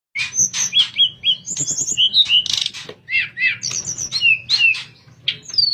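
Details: Sooty-headed bulbul (tledekan) in flute-like 'nyuling' song, recorded as a master track for training other birds: quick run of clear whistled and slurred notes, some rising and some falling, mixed with short harsh chips, over a faint low hum.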